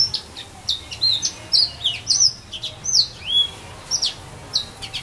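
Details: Casuarina grove at Saint-Philippe, Réunion: a yellow-fronted canary repeats high, thin, swooping whistles and chips, about two notes a second, forming a steady jaunty song.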